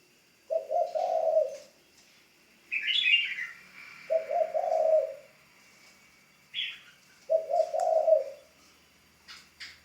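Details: Spotted dove in training as a decoy bird, delivering three low, grainy coo phrases spaced about three seconds apart, with brief higher chirps from another bird interleaved.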